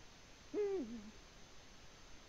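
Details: Eurasian eagle-owl at its nest in Latvia, 14 February 2020: a single hoarse hoot that rises sharply, holds level, then slides downward with a short trailing tail, over a quiet, steady background hiss.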